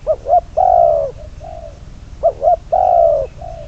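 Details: Decoy spotted dove used in trapping gives its coo: a quick pair of short notes, a long level coo, then a soft short tail note, repeated twice against low background rumble.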